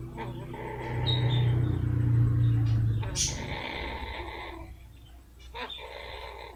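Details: Pet female blue-fronted amazon purring and snorting with pleasure while her rump is rubbed: a deep, rumbling purr lasting about two seconds, then a brief sharp snort, over a steady tonal hum in the room.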